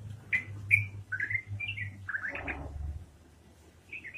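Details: Yellow-vented bulbul giving a ropelan-style song of separate clear whistled notes, some rising, some sliding down, spaced irregularly, then a brief scratchy burst, quiet, and one last chirp; steady low hum behind.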